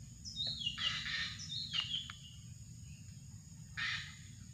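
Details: Drongo calling, recorded as a bird lure: sliding whistled notes that break into rasping broadband bursts, repeated three times over a few seconds, with a constant high insect hum and low background rumble.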